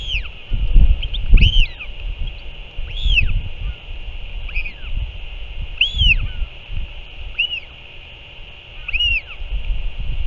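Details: Northern royal albatross parent back at the nest feeding its chick, 6 April 2024: clear high arched whistles spaced roughly every one and a half seconds, each rising then dropping, with low wind rumble beneath.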